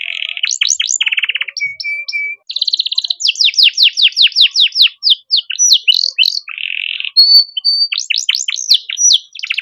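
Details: Master song of a canary for training young birds: rattling trills, a short flat whistle, then long runs of rapid downward-sweeping notes and buzzy rolls, ending with quick whistled sweeps.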